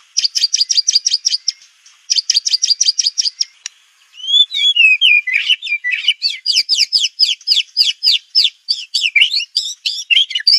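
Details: White-rumped shama (murai batu) singing a clear master track for birds to learn from: two pulsed high trills, a brief gap, then a long stream of varied whistled and chattering notes, fast and sharply rising and falling.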